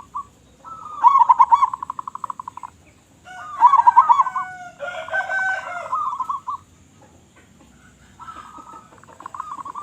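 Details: Actively singing local zebra dove, noted for a big voice, delivers several rolling, trilled coo phrases separated by short pauses, one overlaid with a lower harmonic warble, the last phrase quieter.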